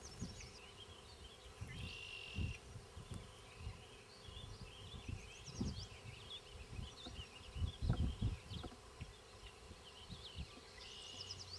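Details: Spring 2006 near Queen's University Biological Station: banded Black-capped Chickadee parents feed nestlings in a fence-post nest. Repeated high thin squeaks and chips run throughout, with low thumps and rustling scrapes.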